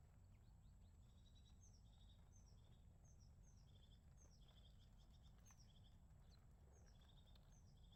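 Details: Crested tit in winter giving thin, high notes that run into short purring trills, repeated about every second, over a steady low rumble of wind or distant traffic.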